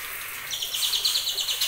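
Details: Trotolan-style song from a white-rumped shama of a little over two months, from champion-line stock: a quick string of bright high notes starting after a brief hiss and running steadily to the end.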